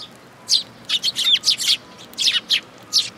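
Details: A group of sparrows at a bridge-railing feeding spot by a Tenmangu shrine, June 2022, chattering in a dense cluster of bright, slurred chirps.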